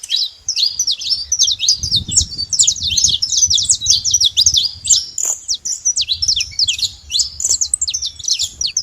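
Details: Free wild saffron finch singing a steady, rapid series of high chipping and slurred notes, almost continuous, accompanied by low rumbling background noise.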